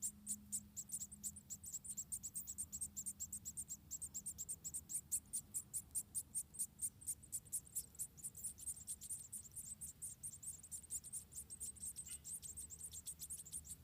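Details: Roughly four wild munia nestlings in Indonesia being fed by their mother at the nest. A long run of sharp, piercing high peeps follows in quick succession, overlapping at times, with soft low background rumble.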